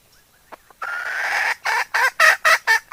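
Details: Decoy hen luring other fowl with a long drawn, slightly rising hoarse note followed by five forceful clucks in rapid series.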